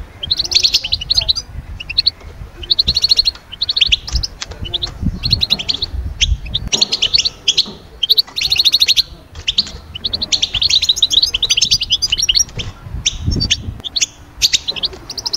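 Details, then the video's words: European goldfinch song meant to bring birds out of moult calm into summer and mating-season excitement: rapid, bright twittering phrases of tinkling, buzzy notes, broken by short pauses, with a faint low rumble beneath. "أخرج حسون من هدوء غيار الريش ألي هيجان الصيف فورا"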